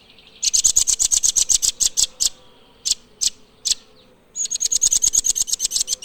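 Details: Blue nuthatch song: a rapid run of sharp, high, ticking notes about ten per second, breaking into a few spaced single notes, then resuming as a fast, even high trill; faint thin calls behind.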